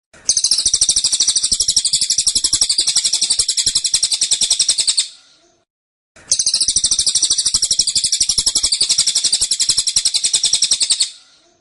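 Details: Two long tembakan bursts from a caged cililin, each about five seconds of very fast, high, metallic trilling notes, separated by a second of silence.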